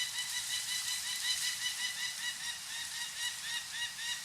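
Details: Adult female peregrine falcon, wild, at a cliff nest on the Mount Tom Range in Western Massachusetts, becoming very vocal as state officials come to band her chicks: continuous rapid harsh cackling notes, repeated almost twice a second, over steady background hiss.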